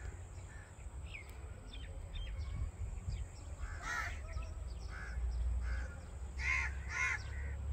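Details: Common myna, also called Indian myna, giving scattered short, harsh, chattering notes, spaced irregularly and louder toward the end, over a constant low hum of background noise.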